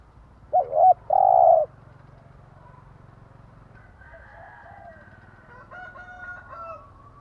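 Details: Spotted dove morning coo for training caged birds: one loud phrase of two short hoots and a long rolling note, followed by several seconds of fainter, distant bird calls.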